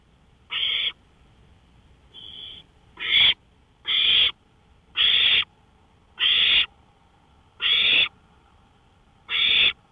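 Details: Owl on a porch at 1:53 AM, 5 May 2013, giving a run of eight rasping, breathy hiss-like calls, each under half a second, spaced about one to one and a half seconds apart, one fainter than the rest.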